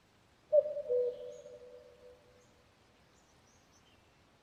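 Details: Single two-note call of a common cuckoo, a bright first note sliding down to a lower, longer second note that fades out in a reverberant tail, then near silence.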